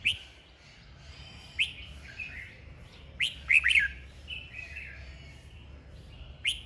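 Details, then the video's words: Red-whiskered bulbul in a singing duel, roused to sing: scattered sharp notes and a loud cluster of quick upward-sweeping whistles midway, separated by softer warbles. "Chào mào hót đấu, kích bổi lên lửa nhanh ra bọng"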